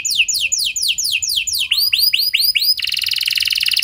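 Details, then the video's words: Canary in 'cengkok mewah' lure song to coax other canaries into singing. Loud, down-slurred notes repeat about every quarter second, shift into a run of arched whistles, then break into a rapid, buzzing high trill. "Pasti Nyaut Gacor Do00r Dengan Pancingan Kenari Cengkok Mewah Nembak Panjang Ini"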